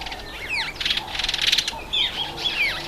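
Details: Red-faced mousebird (Urocolius indicus) at a birdbath: clear whistled notes sliding steeply downward, several in quick succession, mixed with brief buzzy chattering bursts in the middle.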